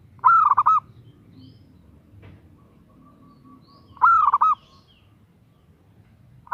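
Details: Female zebra dove calling for a male. Rapid rolling coo phrases recur about every four seconds, and a third phrase begins at the very end.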